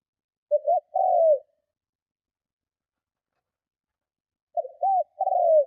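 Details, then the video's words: Spotted dove cooing loudly to attract and challenge other doves, two phrases of short rising hoots leading into a longer descending coo, separated by a long quiet gap. "Cu Gáy Hay - Tiếng Chim Cu Gáy Gù Kích Bổi Cực Mạnh"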